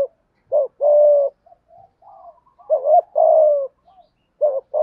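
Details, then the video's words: Spotted dove giving decoy coos meant to draw wild doves in, sung in the 'thổ pha đồng' voice style. Soft, hollow hoots: a quick clipped note and then a drawn-out descending coo, the phrase heard twice with faint chatter between. "Tiếng chim cu gáy kích bổi nhanh nổi gù, tiếng thúc gáy gọi bổi nhanh về cội"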